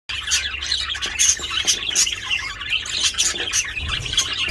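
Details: Several budgerigars, tagged as mating and feeding, make loud, busy chatter of rapid scratchy chirps and squawks overlapping without pause; budgerigar (Melopsittacus undulatus).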